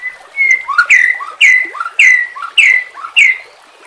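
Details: White-rumped shama used as a training model for caged birds repeats one bright phrase five times in quick succession: a short low note, then a loud whistle swooping down, rhythmically delivered.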